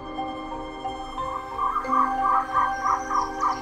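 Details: In the evening in Mumbai's Aarey forest, a jungle owlet gives a quick series of about eight mellow, mid-pitched notes, roughly three per second, while steady background music plays.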